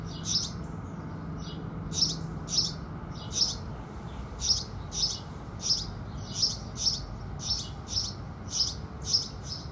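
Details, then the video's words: Sunrise singing of house sparrows, a long string of around sixteen crisp, high cheeps, often in close pairs, steady through ten seconds over a soft low rumble. "Sparrows Singing"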